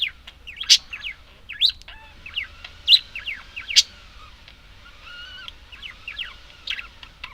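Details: Budgerigars chattering: rapid sharp chirps and warbling notes, several loud clicks, mostly high-pitched, with short gaps between bursts.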